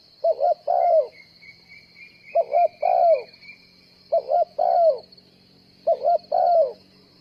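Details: A spotted dove kept as a trapping decoy coos four times, each phrase a clipped double note leading into a long descending coo. A thin whistled tone and a continuous high hiss sound faintly in the background.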